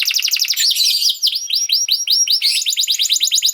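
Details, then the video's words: Canary song for training young canaries: fast pulsing trill, then a run of evenly spaced looping whistles, ending in a rapid chattering roll. "This Canary Sound Is Very Effective For Early Childhood Canaries To Sound || Voice of Canary"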